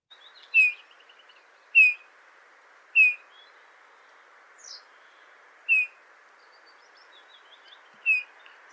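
Eurasian Bullfinch giving five soft, mournful piping notes, the same note repeated at uneven intervals of one to two seconds, with faint twittering of other birds and steady background hiss.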